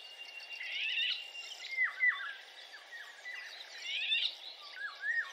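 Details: A male Eurasian golden oriole, recorded 31 May 2021 in Territorio Lince, gives short, fluty downslurred whistles in loose runs, interwoven with scratchy, chattering notes over a steady outdoor hiss.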